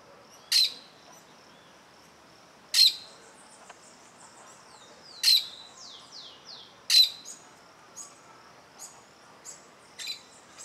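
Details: Plain parakeet keeping watch on an observer near its nest, giving harsh, piercing high calls repeated every two seconds or so, with fainter sweeping whistles between them.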